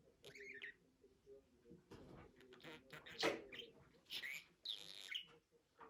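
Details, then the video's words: Budgerigar making speech-like chatter, with scratchy mid-pitched murmurs broken by short bright chirps and a louder raspy burst near the middle. "MUHABBET KUŞU | DİNLET KONUŞSUN"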